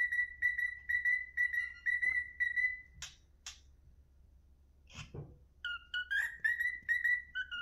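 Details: A cockatiel whistles the tune "If You're Happy and You Know It, Clap Your Hands" in clear, bright, repeated notes.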